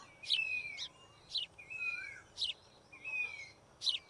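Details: White-throated fantail building a nest gives sharp high chips alternating with thin, level whistled notes, a phrase roughly every second, clear over a quiet background.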